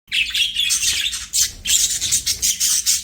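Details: Budgerigars singing while playing, a continuous dense chattering warble of rapid high chirps and buzzy notes in bursts, with a short pause before a second busy run of scratchy trills.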